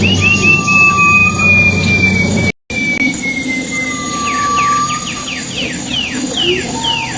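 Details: Silver-eared mesia in the wild, lure recording: long clear whistles at two pitches, then a quick series of downward-slurred notes, with a short dropout and a constant low droning background.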